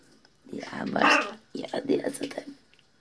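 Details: A pet macaw in a bathroom, talking to the mirror, chatters in two speech-like bursts: a long gravelly phrase, then several shorter syllables, with small-room echo.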